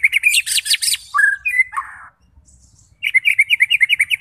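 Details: White-rumped shama song played to provoke fighting birds into full song: loud chattering burst, then slurred whistles, a brief silence, and a rapid string of sharp repeated chips at a steady, quick rhythm.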